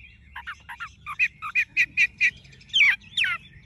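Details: Tame yellow-legged, yellow-billed Chinese hwamei giving a series of short, evenly spaced chirping whistles, then two longer buzzy descending notes.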